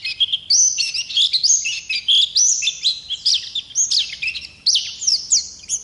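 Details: Oriental white-eye of wild stock rolling its song in steady waves, each a rapid series of thin, high whistles sweeping up then down, separated by brief breaths.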